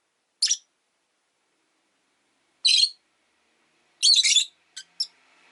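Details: Rosy-faced lovebirds kept in a cage by a window, five birds in the flock, giving short harsh high chirps in separate bursts, one near the start, one mid-way, then a denser cluster followed by two brief clicks.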